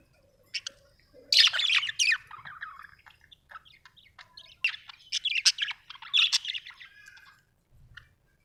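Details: Pet budgies in a home giving rapid, dense warbling chatter of buzzy, high chirps in several bursts, with quieter gaps between the phrases.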